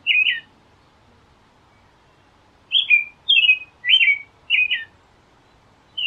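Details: American robin singing: a single falling whistled phrase, a silent gap of over two seconds, then four quick caroling phrases in succession, with nothing else audible.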